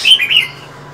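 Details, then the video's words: Female than songbird in cold winter gives a brief, loud call of two or three quick high chirping notes, sliding slightly downward, then silence. "Than mái khè, rít liên tục, kích trống mở mỏ giữa mùa đông giá rét!"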